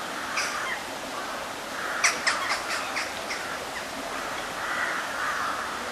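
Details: Mallard ducks by the river at Blarney Woollen Mills, 20 September 2012. A quick run of five or six loud, harsh quacks falls off in strength, then softer scattered calls follow over constant rushing background noise.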